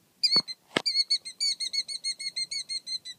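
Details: Male Killdeer defending its nest, calling in a quick steady series of sharp, high-pitched notes. Two loud clicks or knocks sound near the start.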